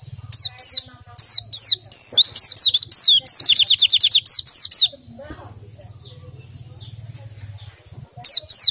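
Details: Bird described as a white-eye lacking breeding drive pours out fast high whistled slurs and a dense trilled passage, then falls silent over a low hum before resuming with sharp notes.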